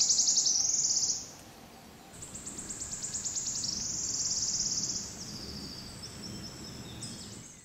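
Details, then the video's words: Wood warbler (Phylloscopus sibilatrix) in Brussels, Belgium, June 2011, giving high, dry trills that speed up into a shivering, metallic run, repeated several times over a quiet background. "Pouillot siffleur (Phylloscopus sibilatrix) Wood Warbler"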